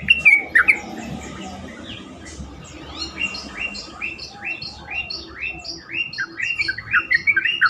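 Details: Lure recording of yellow-vented bulbul song meant to get other bulbuls calling: loud rising whistled notes opening, then a series of short, rising, slurred chirps repeated about twice a second, some louder phrases near the end.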